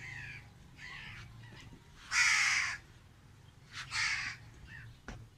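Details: Crow perched alone in a tree, giving hoarse caws: two faint, then one loud drawn-out caw and a shorter one, spaced over several seconds with low background rumble.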